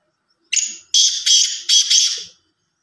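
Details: A black francolin in Sindh gives a harsh, grating phrase of about four rasping notes in quick rhythm, lasting just under two seconds.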